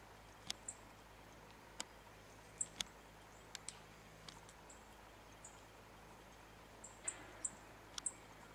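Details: Eastern Spinebill at Fitzroy Falls, Morton National Park, near Wollongong, New South Wales, on 11 May 2017, giving thin, very high, sharp chips at irregular intervals, mixed with a few dry clicks over a faint low hum.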